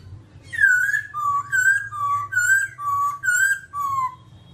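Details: Babbler giving about seven clear whistled notes, slurred downward and alternating between higher and lower pitches at a steady, unhurried pace, with a low background hum.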